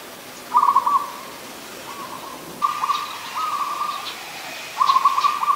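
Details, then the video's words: Ubon Ratchathani, Thailand, 24 December 2020: an adult zebra dove's quick stuttering coo-trills, several bursts in close succession with a sustained cooing stretch between them, over light background noise. "นกเขาชวา (Zebra Dove)"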